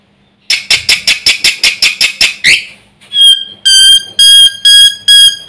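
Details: Black-winged myna in full, chatty song packed with borrowed phrases, said to rile every bird in the village: a run of ten fast harsh repeated notes, then loud ringing whistled notes with stacked overtones, repeated about twice a second.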